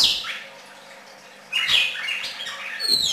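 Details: Red-crested cardinal singing: a bright, high whistled phrase at the start, then after a short pause a louder run of sharp, slurred notes that rise and fall, ending in a thin high whistle.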